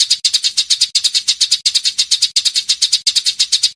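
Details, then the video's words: A Eurasian tree sparrow gives rapid, dry, high chirps in steady bursts of three or four, repeated about every second, with no other sounds. "SUARA BURUNG GEREJA"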